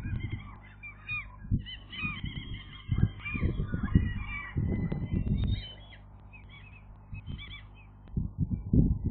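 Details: Gull chicks on their first day of real flight utter clusters of high wavering squeals and short mews in irregular bursts, with loud low thumps and rumbling wind between.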